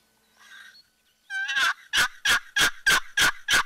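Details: Wild turkey on public land in Cleveland National Forest, Southern California, May 2004, gobbles in a loud burst of rough, rattling notes, about three per second, after a few faint higher yelps at the start, during a spring hunt.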